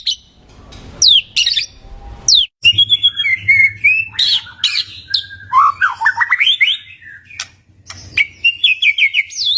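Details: White-rumped shama lure song, played to make a shama that has stopped singing reply: loud varied whistled phrases, rising sweeps and rapid chattering notes, broken by a short pause after two seconds, with a faint low hum beneath.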